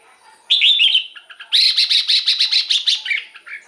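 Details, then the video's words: Caged red-whiskered bulbul song used as a decoy or played to excite other caged birds: a short liquid warbled phrase, a pause, then a loud run of about nine rapid, bright repeated notes, clean background. "เสียงนกกรงหัวจุก สำหรับต่อ หรือ เปิดให้นกคึก เสียงเพราะๆ"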